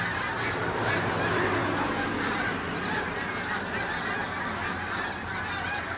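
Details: A big flock of Canada geese crossing the sky above Farnham in the early morning of 18 December 2015, producing a busy, continuous chatter of honks from many birds, fairly even in loudness.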